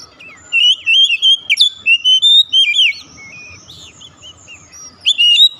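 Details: Oriental magpie-robin in full song, used to lure a quiet bird into singing: a fast series of loud warbled whistles and slurred notes for about two seconds, a soft lull, then a sharp burst at the end.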